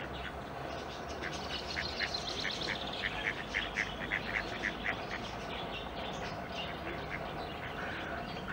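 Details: Eurasian coot chicks, partly in the nest and tended by their parents at the Schützenweiher pond in Winterthur, give a run of short, sharp, high notes, roughly two a second, over a steady wash of wind or water noise.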